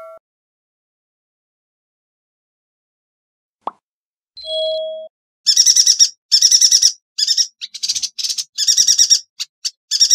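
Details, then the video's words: Yuhina song for masteran training of songbirds: after a near-silent start with a short steady beep, dense high buzzy trilled phrases burst in from midway, each about half a second, separated by brief pauses. "Burung Yuhina - Tembakannya Nyelekittt Tajamm Terpercayaa...!!"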